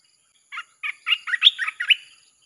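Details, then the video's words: Red-whiskered bulbul with its 'sap' style chopping song, used as a lure for wild birds: seven or eight quick, rich chirped notes in one accelerating phrase, the middle ones loudest and highest. "เสียงนกกรงตาแดงEp.158 สับไม่หยุด!! เปิดล่อนกป่าเข้า100%"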